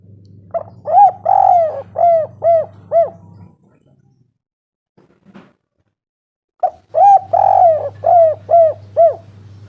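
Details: Spotted dove calling in a lure recording for prompting quiet doves: two phrases of mellow coos, one drawn-out slurred note and several short arched ones, split by a silent gap, with a steady low hum.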